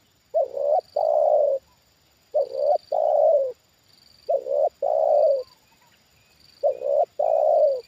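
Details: Decoy-trained spotted dove answering a wild bird lowered near it a second time. It gives loud, mellow two-part coos, a brief clipped note and then a longer drawn-out one, repeated about every two seconds, four times, in quiet surroundings.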